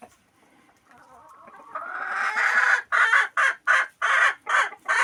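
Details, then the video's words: Chicken on a farm clucking in one of various everyday situations: a faint murmur building into loud, rapid, harsh clucks in short bursts, about two per second. "How Loudly Does a Chicken Cluck?"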